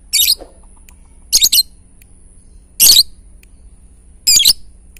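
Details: Lovebird giving ngetik-style song, meant to provoke other lovebirds into singing: four short, dense bursts of harsh, high chattering chirps about a second apart, with a faint steady high whine behind.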